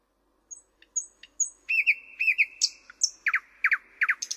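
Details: Thrush nightingale song: thin high whistles, then a run of loud repeated chopping notes near the middle of the range, rising to sharp high clicks, delivered in quick varied phrases.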